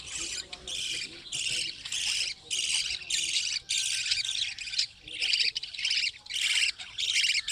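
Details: Budgerigars in a breeding colony hut give rapid, scratchy chattering bursts, nearly continuous, with short breaks every second or so as several birds call over one another.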